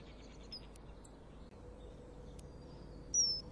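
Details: Loud, shrill high whistle from a common kingfisher flying away calling toward its mate, filmed at a nest-wall camera on a February 2015 morning after bringing a small morsel to a platform; a single sharp note near the end follows faint high chirps amid quiet background hiss.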